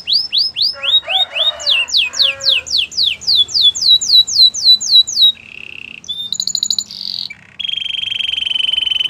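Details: Gloster canary delivering quick repeated whistled sweeps, a long fast series of descending slurred notes, then short buzzy rolls and a final sustained trilled tone.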